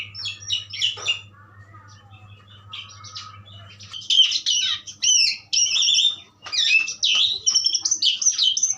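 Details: Asian pied starling singing in a powerful pastol style: a brief burst of high chattering notes, a quieter pause over a low steady hum, then four seconds of loud, dense, scratchy chatter mixed with sharp whistles.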